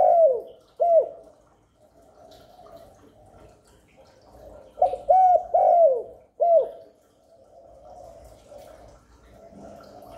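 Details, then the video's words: Spotted dove used to lure in wild doves and rouse newly caged ones: two separated bursts of soft, rounded coos, a short pair at the start and a longer rolling group mid-way, with faint distant cooing between. "Chim cu đất, cu cườm gáy gù thúc kéo bổi về tàng, cu gáy kích bổi mới nuôi"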